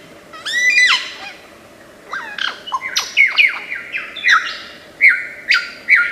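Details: Lyrebird of Australian forests, a bird famed for mimicking sounds, pouring out varied calls: rising whistled slurs, then a run of loud descending and hooked notes around two to four kilohertz-like pitch, each bursting out separately over faint steady background hum.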